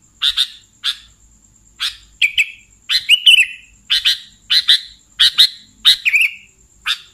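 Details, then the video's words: Sooty-headed bulbul calls used as a lure for catching bulbuls: short bright chirps in pairs and singles, some ending in a slurred warbling note, roughly one or two a second, over a faint steady high tone. "SUARA BURUNG Kutilang Pikat mp3"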